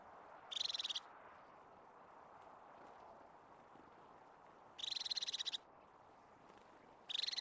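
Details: Crested tit in Caledonian pinewood, Scottish Highlands, delivering three rapid high churring trills, the middle one longest, with gaps of several seconds between them.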